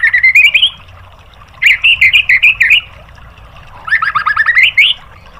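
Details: White-rumped shama song meant for training caged birds: three separate bursts of quick, varied whistled and twittering notes, each under a second long, split by short pauses.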